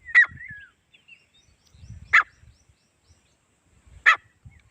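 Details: A male and female Grey francolin pair calling: loud, harsh, clipped calls about every two seconds, three in all, with faint low rustling between them.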